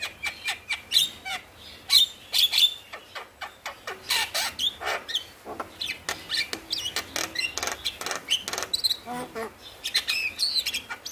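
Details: Male Javan myna singing vigorously, a tutor recording meant to prompt reluctant mynas to sing: dense run of harsh, buzzy chattering bursts with short whistled notes, repeated rapidly for over ten seconds.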